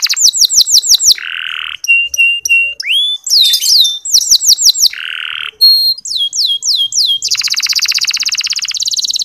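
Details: Indonesian local canary song used as a lure to spur less eager males into singing: rapid trills of descending whistled notes, a steady buzzy tone, short repeated chips, then a long dense rattling trill near the end.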